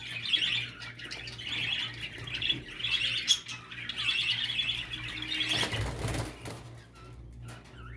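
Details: Budgie mating sound meant to encourage a male to breed: several bursts of fast, twittering, scratchy warble with buzzy notes, a brief noisy rustle after five seconds, then sparser chirps and a faint low hum.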